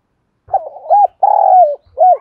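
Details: Spotted dove lure bird, 'đồng thổ' voice style, calling to stimulate and train birds for fighting: quick hollow coos, then a long buzzy, trembling note sliding downward, and one final rounded coo.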